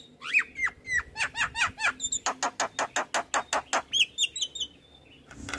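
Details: Lively Javan myna song from a master recording for training birds: downslurred whistles, then a fast regular run of sharp clicks, ending in a short series of clear high whistled notes.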